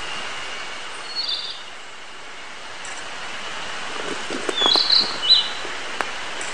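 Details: Narcissus flycatcher singing, filmed 22 June 2019. Two short high whistled phrases, one near the start and a brighter, more complex one later, over a steady high buzzing background and soft outdoor noise.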